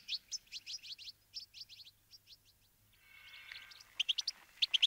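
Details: Wintering Brambling flock at sunflower seeds. Series of clipped, high chirps in small clusters, then a stretch of hiss with faint steady tones, ending in a few louder, sharp chirps.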